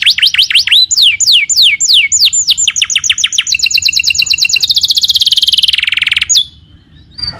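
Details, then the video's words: Singing canary used to prompt another canary to reply: fast falling whistles, then a long rapid trill of short notes that slides downward into a buzzy sweep before ending abruptly, followed by quiet. "PANCINGAN SUARA BURUNG KENARI GACOR LANGSUNG NYAUT!!"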